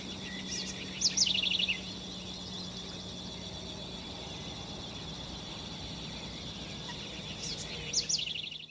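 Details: Snail kite at San Ignacio, Misiones, Argentina, giving two brief, dry chattering bursts of rapid notes falling slightly in pitch, about six seconds apart, over a steady background hum.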